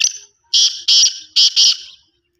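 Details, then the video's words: Black francolin, a desi kala teetar, calls in a harsh grating phrase: one drawn-out note, then four loud rasping notes in quick pairs over about two seconds, with near silence between. "Kale teetar Ki Masti black teetar ki awaz desi teetar Ki awaz"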